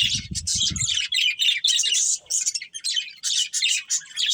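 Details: Breeding budgerigar pair twittering in choppy, buzzy phrases separated by short pauses, with low thumping in the opening second.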